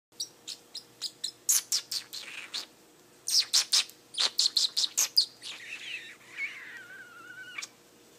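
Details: Pet parrotlet said to be speaking a few words: a quick run of sharp high clicks and chirps in uneven bursts, then a wavering, warbled whistle that slides downward and levels off, with a faint steady hum beneath.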